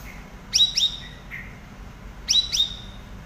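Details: Chatty cucak rawis, a lively singer used as master song for training stalled cage birds: two pairs of sharp high down-slurred chirps, each pair quick, about two seconds apart, over faint low background hiss.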